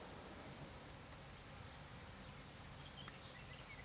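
A corn bunting gives a dry, high, fizzy jangle lasting about a second and a half, like shaken keys, over a low wind rumble.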